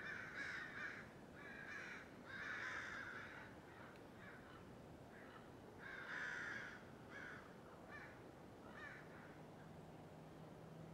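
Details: Flock of crows squawking in an oak tree outside a house on 12/11/2017; bursts of harsh caws in clusters, strongest early, then thinning to scattered shorter calls, with a low steady hum near the end.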